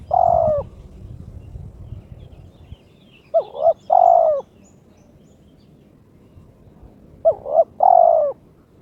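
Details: Spotted dove (terkukur), a kept bird in breeding condition, issuing a challenge to a rival: a long coo, then two phrases of two quick notes plus one drawn-out falling coo, roughly four seconds apart.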